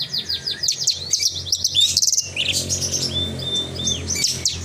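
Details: Horsfield's bush lark in vigorous song: a dense, unbroken stream of varied high chirps, trills and quick sweeping whistles, with brief pauses near the two-second mark and a steady low hum beneath.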